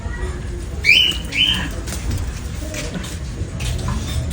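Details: Sun conure gives two short, sharp squawks about half a second apart over steady indoor room noise, during Alexa training.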